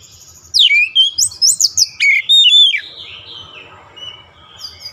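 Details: Oriental magpie-robin trained daily toward a long rolling song, giving a rapid burst of bright whistled notes and steep sweeps for about two seconds, then a few faint, high notes.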